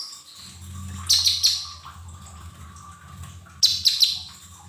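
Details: Lesser green leafbird, cage-bird training recording meant to get untrained birds singing: two short bursts of rapid, high chirped notes about two and a half seconds apart, over a steady low hum.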